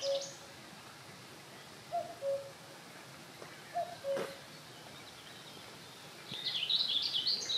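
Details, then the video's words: Common cuckoo singing at Holnis: soft two-note falling cuckoo calls given twice, about two seconds apart, over steady background hiss, with brief high twittering from another bird near the end. "Kuckuck singt auf Holnis - Gesang"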